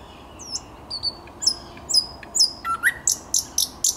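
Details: On 10 May 2021 a thrush nightingale sings thin high slurred whistles, a brief low phrase, then a row of piercing high clicks repeated roughly every third of a second.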